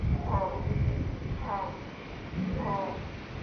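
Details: Spanish imperial eagle (Aquila adalberti) giving three hoarse, barking calls, about one every second, over a steady low rumble of wind.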